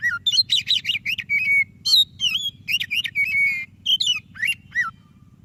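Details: White-breasted magpie-robin in full song, a prompt for lazy kacer: a dense run of rapid chirps, long level whistles and swooping slurred notes with hardly a break, over a steady low hum.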